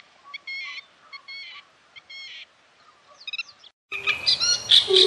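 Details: Black-tailed godwit on the Bug River giving short nasal, harmonic-rich call notes in quick clustered bursts, ending abruptly as a louder, harsh jumble of other bird sounds takes over.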